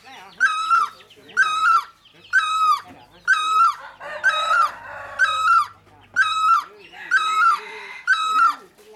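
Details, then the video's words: Great barbet calling steadily, a ringing nasal yelp repeated roughly every second for eight notes, with brief rough background noise partway through. "Noog dab laug, noog ab hau, Great Barbet bird"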